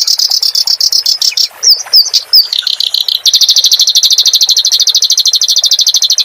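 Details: A clamorous reed warbler, recorded to train caged songbirds, gives a buzzy high trill broken by a few upslurred whistles, then a steady, rapid rattle of even notes.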